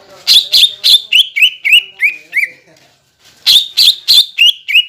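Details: Leafbird lure song to make untrained and flock-kept greater green leafbirds sing: a quick run of loud whistles descending in pitch, a short gap, then a second similar descending run.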